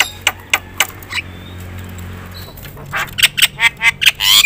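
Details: Javan myna in loud, full song with varied phrases, meant to provoke other mynas into singing; harsh squawky bursts separated by a lull, then a fast run of short harsh notes ending in a buzzy rising note, over a low steady hum.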